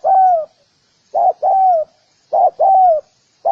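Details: Spotted dove coo used to attract other doves: a short note, then a longer one that drops in pitch, repeated at a regular pace.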